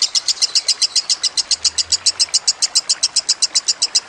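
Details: Lovebird recorded for bird training with trickling water added: steady, rapid, high-pitched chattering notes, nearly four per second, evenly spaced throughout, with a faint low hum partway through.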